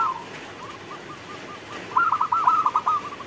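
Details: Zebra dove of local stock cooing during rainfall: faint soft notes at first, then a loud rapid series of rolling, bubbly coos in the second half over a constant hiss of rain.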